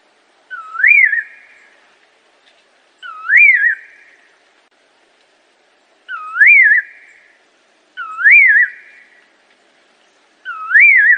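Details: Assam laughingthrush singing five short whistled phrases at intervals of two to three seconds, each a swift upward slur then a brief falling flourish, clear and mellow against a silent background.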